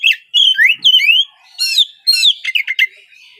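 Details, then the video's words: Dense Oriental magpie-robin song meant to prompt untrained speckled young magpie-robins into morning singing. Bright up-slurred whistles run almost without a break, mixed with harsher buzzy notes and quick chattering. "Cocok untuk pancingan Kacer trotol bahan agar lekas bunyi di pagi hari!"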